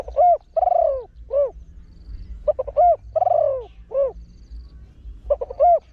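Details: Trained spotted dove with a big, deep voice, singing the rapid 'khan yon 1 kuk' crowing style used to lure wild doves: hollow, low cooing phrases of about three notes, repeated roughly every two and a half seconds over a quiet background.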